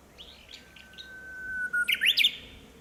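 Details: Japanese bush warbler near homes in Minamiboso, Chiba Prefecture, Japan, in April 2018, singing again from one favoured branch: a drawn-out pure whistle held for over a second, then a quick bright tumbling phrase, with faint chirps beforehand.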